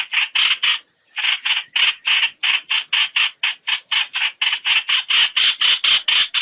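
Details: Net-trapping lure of a trao trảo bird calling its flock: one short burst of harsh notes, a pause of about half a second, then a long, fast, even run of buzzy chattering notes.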